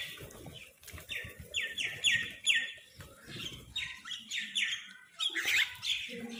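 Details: Several crows squabbling for food give rapid, rasping squawks in quick runs. The harsh bursts repeat irregularly over soft background clatter.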